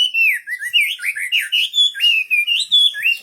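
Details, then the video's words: Clean, continuous wambi bird song: fast, rolling whistled notes that swoop and curl, about four per second, with no other sounds. "Burung wambi istimewa gacor full"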